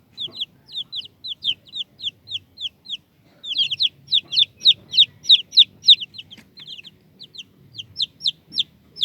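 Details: Chicks peeping in a rapid, steady series of high, thin, downslurred squeaks, about three a second, growing louder and denser midway, with a faint low rumble beneath.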